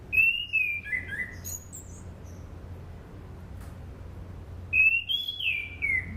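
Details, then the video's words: Sunda pied fantail song used as a lure for training birds: two clear whistled phrases, each stepping down from a high start through wavering notes, separated by several seconds of quiet with low background hum. "SUARA ASLI ANIS CENDANA"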